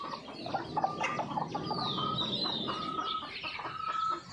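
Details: Red junglefowl seen from a hidden camera on a morning after a storm. Soft clucks repeat beneath a long, wavering, whistled note from another bird and scattered chirps.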